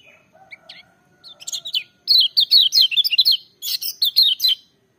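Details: Lemon-bellied white-eye singing loudly and powerfully, used to coax reluctant birds of its kind. Short chirps give way to fast bursts of high, sweet warbling notes in quick rising and falling runs, with a brief gap mid-song.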